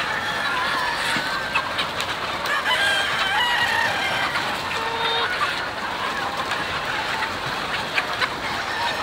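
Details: Chickens on a chicken farm: harmonic crowing and drawn-out clucking calls stand out against a dense, steady din from many birds calling at once, with a short low tonal note near the middle.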